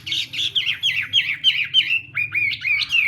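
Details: A Chinese hwamei practising its song in the morning, delivering quick repeated rising-and-falling whistled notes about three per second, ending in a smoother sweeping whistle series; low hum in the background.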